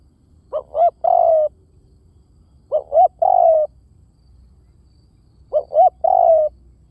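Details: Spotted dove cooing as a decoy call for luring: three phrases roughly every 2.5 seconds, each of two or three short hollow notes leading into a long, gently falling coo, with nothing else audible.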